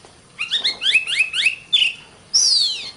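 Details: Master song of an Oriental magpie-robin used to train contest birds: a rapid series of rising chirped notes, a short level whistle, then a long sweeping downslurred phrase.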